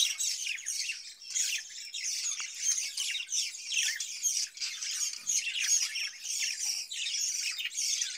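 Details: Caged budgerigars fed cucumber during the summer keep up a steady, rasping chatter of short squawks and high chirps, many overlapping calls with no real pause.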